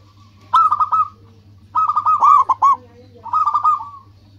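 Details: Local zebra dove, used as a lure bird to draw rivals into answering; three bursts of soft, bubbling cooing phrases, each a quick run of stuttered notes, separated by brief pauses, over a steady low hum.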